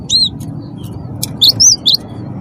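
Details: Wingko-type cinereous tit giving a few high, clear whistled notes, a single note then a quick group of three, against a low steady background hum; the song is meant to prompt other birds to sing.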